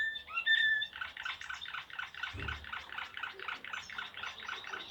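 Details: Serbian blue canary in Slavujar song: a couple of clear whistled notes, then a fast, even, bubbling roll of repeated notes continuing steadily to the end, with a brief low thump.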